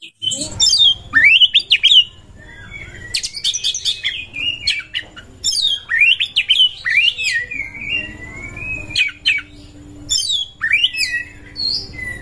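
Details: Oriental magpie-robin in breeding condition, used to stir up other birds: varied loud phrases of sharp high chips, sweeping rising and falling whistles and drawn-out slurred notes, separated by short pauses, over a low background hum.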